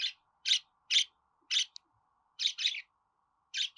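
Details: Budgerigar chirping briskly, short buzzy notes about every half second, including a rapid double chirp and a sharp click, over a light hum.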